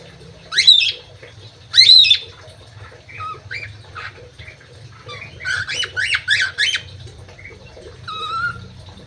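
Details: Crewet in an aviary uttering two loud, scratchy downslurred squawks, then softer chattering notes and a rapid series of four sharp rasping calls, ending with a thin wavering whistle; low background hum.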